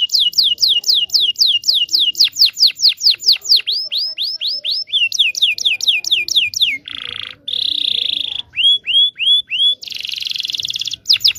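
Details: Long canary song for training young canaries: rapid series of falling whistled notes, then rising upswept notes, a short low buzzy rattle, a high trill and further upslurred whistles, all loud and clean.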